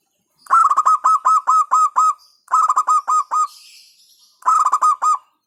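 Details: Hentakan song of a local zebra dove, meant to rile rival birds: three rapid phrases of staccato, beat-like cooing notes, each of about seven notes, with brief pauses between phrases.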